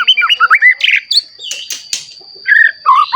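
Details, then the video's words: Newly moulted white-rumped shama whose song is meant to excite other shamas: rapid looping whistles at the start, scratchy bursts in the middle, then warbled fluty phrases, against a steady high background tone. "Murai Batu Gacor Ampuh Untuk Pancingan Murai Batu Agar Bunyi Langsung Emosi"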